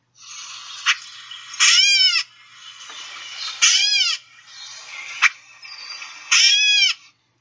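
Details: Gray Catbird giving three nasal, cat-like mew calls about two seconds apart, each slurring downward, with short sharp put calls among them.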